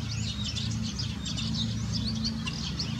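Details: A dense flock of common starlings on İnönü University campus, Turkey, chatters in a constant overlapping jumble of high squeaks, clicks and short whistles, over a steady low rumble of background noise.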